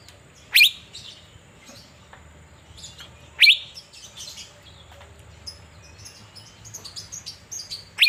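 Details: Asian fairy-bluebird sunbathing in Banjarmasin, Indonesia, calling with three sharp, high downslurred notes spaced roughly three seconds apart; scattered soft chirps and background hum fill the gaps.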